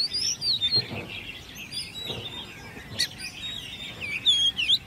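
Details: Oriental magpie-robin, a hand-reared ten-month-old kept caged, singing competitively; brief bright whistled slurs at the start and end, with softer chirps and a sharp click between.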